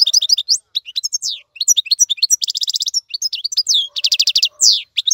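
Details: Tutor song of a European goldfinch, meant for teaching young birds: lively, rapid twittering of high chirps and slurred notes, broken twice by bursts of fast, evenly repeated buzzy notes.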